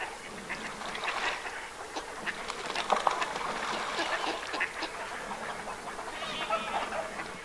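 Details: Northern pintails wintering in the Aiguamolls natural park, Spain, on 24 January 2022: a busy chorus of overlapping duck quacks and short nasal calls, with scattered sharper notes and a steady wetland background hiss.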